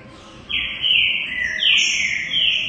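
A Green-winged saltator sings loud, rich whistled phrases in the middle-high range, some sliding down and some held, running nearly without pause after a brief quiet start.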